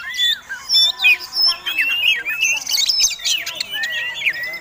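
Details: Oriental magpie-robin in combative song meant to goad rival birds: a continuous, rich stream of slurred whistles, chattering notes and raspy squawks, loud and varied, with barely a pause.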